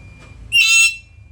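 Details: A single short, harsh, piercing screech from a black-capped lory, with a soft low hum behind it.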